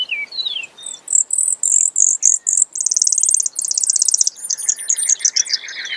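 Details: Brewer's sparrow in a long, varied high song: a few slurred notes, then a run of evenly spaced buzzy chips speeding into fast trills at changing pitches, lower buzzes near the end.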